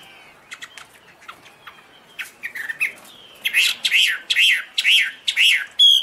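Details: Chinese hwamei starting quietly with sparse chips. It then bursts into loud, slightly buzzy notes repeated about twice a second, ending on a clear whistle.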